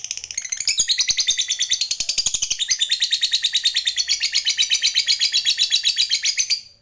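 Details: Fighter lovebird's long 'ngekek' chatter, used to get other lovebirds chattering quickly. Shrill, rapid, rattling high notes pour out almost continuously for about seven seconds, then fade away at the end.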